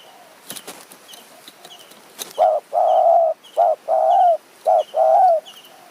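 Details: Spotted dove calling during decoy luring in the high forest of Kanchanaburi, Thailand. After scattered rustling, mid-pitched coos alternate short and drawn-out, three pairs in about three seconds. Another bird chirps thinly and high in the background.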